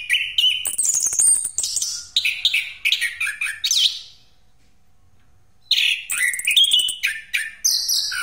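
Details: Orange-headed thrush song used as a lure, a rolling pastol style, with rapid varied phrases of high whistles, buzzy notes and trills, broken by a silent gap of about two seconds midway.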